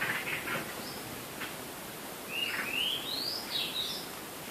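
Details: Bird calling before dawn on 8 April 2016: a few soft chirps, then a series of thin whistled notes rising step by step, over a steady background hiss.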